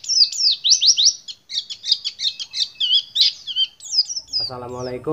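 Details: A pet white-eye (pleci) used as song tutor sings a rapid, high twittering song of slurred chirps and trills, several phrases per second; a man starts speaking near the end.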